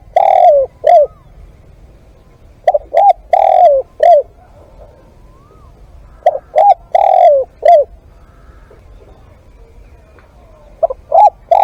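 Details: Live decoy spotted dove cooing repeatedly. Low hooted phrases of two quick notes, a long sliding coo and a short drop recur every few seconds, with a soft rising whistle heard between phrases against a quiet background.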